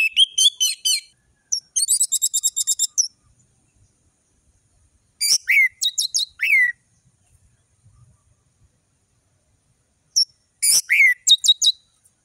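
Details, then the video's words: Varied tutor song of an orange-headed thrush, with 'ngeriwik' twitters and sharp whistled 'tembakan' notes: four separate bursts of quick, high chattering and downslurred whistles, spaced by silent pauses. "Anis merah gacor ngeplong full variasi bagus untuk masteran burung anis merah trotol"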